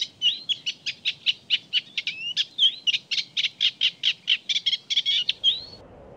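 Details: Eurasian reed warbler singing in spring in the Baie d'Audierne, Finistère, Brittany, France: a rapid, chattering run of scratchy repeated notes, about four per second, mixed with short rising and falling whistles.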